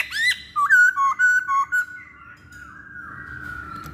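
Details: Masked laughingthrush lure song meant to make other birds sing: an upslurred whistle followed by five clipped, loud whistled notes in quick succession, then a long, fading steady tone.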